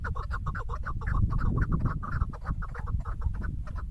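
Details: Female chukar partridge uttering a fast, somewhat irregular series of sharp chuck notes, close to three per second, set over a persistent low rumbling noise.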